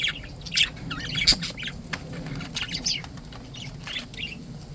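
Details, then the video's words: Cheerful pet budgies giving uneven high twitters and squeaky chirps, a few sharper notes standing out, with soft background hum. "Happy Healthy budgies"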